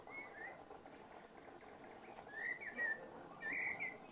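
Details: Common blackbird, Eurasian blackbird, giving a calm, unhurried evening song: short whistled phrases near the middle register, one early and a pair later, over a steady background hum with faint higher twitters.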